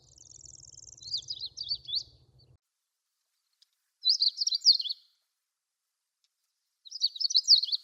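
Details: Long-tailed rosefinch song at dawn, Wakka Primeval Flower Garden, Hokkaido, Japan: three short bursts of high, jerky slurred whistles, roughly three seconds apart, the first preceded by a thin high trill over a low rumble.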